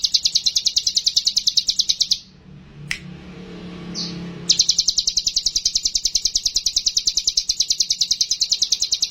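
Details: Sumatran leafbird song used to prompt a mountain leafbird to sing: rapid, evenly repeated high buzzy notes about three per second, broken by a two-second pause with a faint click, then resuming steadily.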